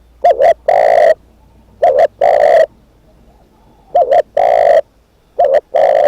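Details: Spotted dove used as a decoy, cooing four times, each call a clipped double note and a longer level note, repeated at roughly two-second intervals.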